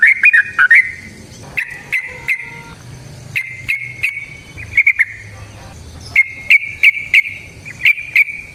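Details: Yellow-vented bulbul singing long ropel-style lure song to draw other bulbuls into calling; sharp chirps and short bubbling phrases in spaced bursts, quiet low hum beneath.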